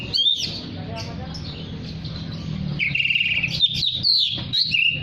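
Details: Oriental magpie-robin singing vigorously to call other magpie-robins: loud, clear whistled phrases and sharp rising notes, with a sustained buzzy trill in the middle, over a steady low background hum.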